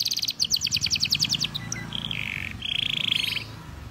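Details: Male canary in full song: rapid high pulsed trill for about one and a half seconds, then a short pause and flat buzzy rattling trills, over a faint low rumble.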